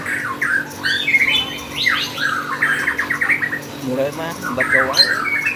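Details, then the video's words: Lovebird at a bird contest: a busy, chattering song of squeaky twittering notes and rapid buzzy trills, continuous and varied, with faint voices and room noise behind. "Burung love bird gacor kontes"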